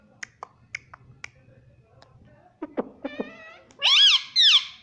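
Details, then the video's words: Pet talking parrot producing a series of clicks and short notes, followed by speech-like wavering syllables imitating mummy and papa, indoors. "Mummy Papa Bolne Wala Parrot"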